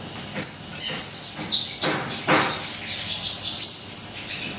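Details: Energetic Siri-siri kecil song used as a tutor and lure recording: high, thin sliding chirps running into a busy chatter of piercing notes, with one brief noisy burst.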